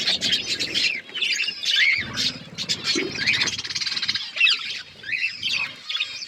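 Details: Budgerigars kept for breeding, chicks growing: a crowded mix of chirps, squawks and warbled notes, with low rumbling and handling noises partway through.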